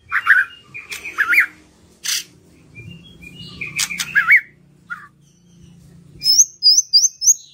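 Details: White-rumped shama lure song meant to get quiet birds singing: rich warbled whistles and harsh clicks, a short pause, then a quick series of very high, thin repeated notes near the end.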